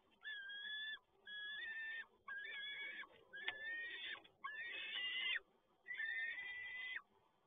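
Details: Peregrine falcon at Toruń, 7 May 2022, with the male delivering another catch; six long, grating, harmonic wails about a second each, evenly spaced with brief pauses, over steady low hiss.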